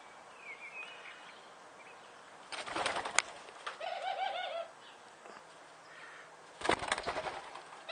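A Barbary dove gives a brief, rolling laugh-like call of rapid low notes, framed by loud bursts of wing flapping; a faint thin whistle sounds early on.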